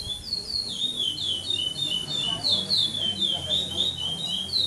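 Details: Curió in brown pardo plumage competing in the 7th stage of a Maranhão Praia Clássico singing tournament, 2014, São Domingos do Maranhão: loud sliding whistles, rising then falling, strung together continuously without repeating, with faint murmuring of people behind.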